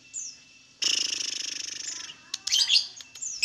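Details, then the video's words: Lovebird song meant to draw other lovebirds into singing: a long, fast, buzzy trill lasting over a second, followed by jumbled high chatter and squeaks. "LOVEBIRD SINGING"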